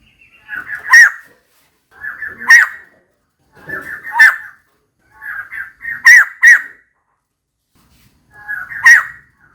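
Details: Repeated mate-seeking calls of a female white-crested laughingthrush: six loud, raspy explosive notes, each introduced by a soft chatter, spaced about one and a half seconds apart with one doubled burst.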